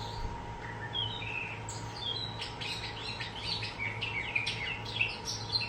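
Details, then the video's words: A young captive starling, four months old, chatters in a quick run of thin whistles, squeaks and clicks, high and scattered, over steady indoor electrical hum, copying words and sounds just learned from an older male starling. "Orbit has JUST learned new words & sounds from my older male starling, Onyx!"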